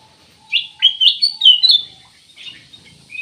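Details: Ruby-throated bulbul: four or five clear, quick, slurred chirps in a tight burst, followed by a softer trailing note, with a faint steady low tone behind.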